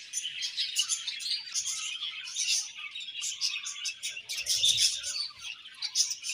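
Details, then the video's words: Paired budgerigars chatter continuously in rapid, overlapping high chirps and twittering notes, with sharper accented peeps scattered through the busy stream and a soft low thump near the middle. "𝑪𝒖𝒕𝒆 𝑩𝒖𝒅𝒈𝒊𝒆 𝑷𝒂𝒊𝒓𝒔 𝑪𝒉𝒊𝒓𝒑𝒊𝒏𝒈 𝑺𝒐𝒖𝒏𝒅𝒔"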